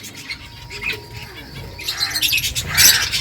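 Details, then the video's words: Finches eating food; soft scattered chirps at first, then a louder burst of high, rapid twittering from several birds near the end over a low steady hum. "Beautiful finches eating food birds chirping sounds"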